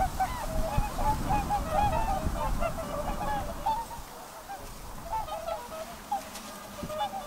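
A flock of Whooper swans gives overlapping, bugling honks, mid-pitched and repeated many times a second across the group, over a low rumble of wind or water.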